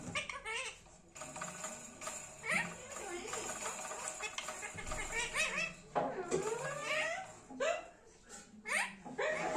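A rose-ringed parakeet gives a string of wavering, throaty chatters and laugh-like squawks in uneven bursts, over a faint steady high whine.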